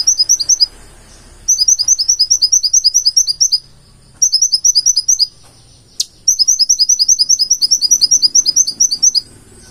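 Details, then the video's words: Konin, the purple-throated sunbird, singing full isian: quick rhythmic series of very high, piercing notes in long bursts separated by pauses, one sharp snap-like note midway, faint low background hum. "KONIN GACOR FULL ISIAN"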